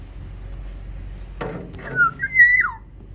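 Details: After a dull thump, an aviary-kept black-naped oriole from Sumbawa sings a single fluted phrase: a short downslurred whistle, then a long level tone ending in a drop.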